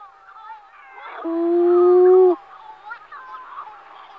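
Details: Scopoli's shearwater (Calonectris diomedea), a Mediterranean-breeding seabird whose colonies are visited at night, gives a loud, nasal, drawn-out steady note about a second long, with softer wailing calls from other birds around it.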